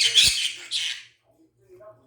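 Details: Pet talking conure imitating the words 'please give me ice cream' in Korean, not very accurately: two harsh, raspy, squawk-like syllables, then quiet room sound with a faint low hum.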